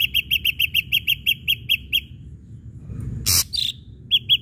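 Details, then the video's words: Ashy drongo song intended to provoke rival birds: a rapid, regular series of about twelve bright clipped notes, a pause, a loud harsh crackle, then a couple more chirps. "srigunting abu abu gacor PANCINGAN"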